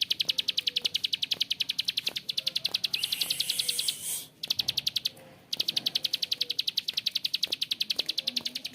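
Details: Bar-winged prinia in long rough-voiced ngebren, rattling out quick high clicks at an even pace, broken by a brief hiss and a short silent gap before the clicking resumes.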